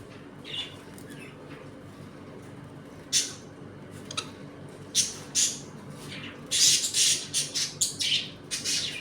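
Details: Budgerigars in a home colony, eating and playing, make sparse clicks and chirps, then a fast run of sharp squawky chirps toward the end.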